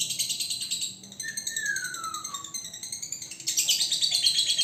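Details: Konslet-style song from a young single male lovebird kept in a cage for training: fast rasping chatter pulsing about three times a second, with a long clear whistle sliding downward through the middle before harsher chatter resumes.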